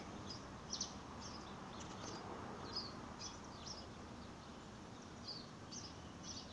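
Small birds give thin, high chips and short twittering notes, scattered irregularly about twice a second, over a steady broad outdoor hiss.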